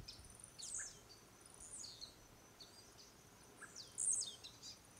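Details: Jumping male blue-black grassquit displaying to court females and rival males near the Araucárias Gigantes reserve in Itaiópolis, Santa Catarina; three sharp, high, buzzy downslurred phrases spaced about a second or more apart, the last loudest, with quiet rural background.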